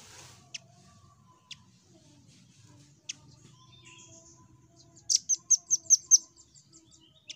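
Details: Velvet-fronted nuthatch, called rambatan, singing to prompt other birds: scattered sharp ticks, then a loud run of five high, ringing chirps repeated quickly, with faint background birds.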